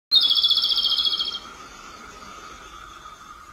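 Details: Robin giving a loud, fast rattling trill of rapid pulsed notes lasting about a second, fading into a quieter steady hum with a faint high tone.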